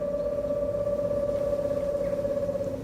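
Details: An Eastern Screech-Owl call, played back to chickens to test their reaction to predators, gives a steady, even-pitched trill held at one low note for about three seconds over a faint room hum.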